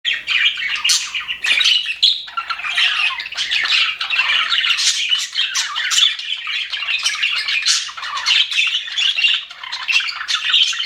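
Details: Happy budgerigars in an aviary, a flock giving a dense, continuous warbling chatter of scratchy chirps and squawks that overlap with no pauses for the full stretch.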